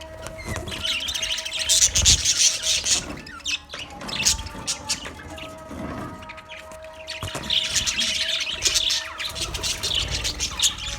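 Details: Budgerigars in a colony chirping in busy overlapping bursts of high warbling and twittering, rising and easing in two waves, with a steady tonal hum in the background.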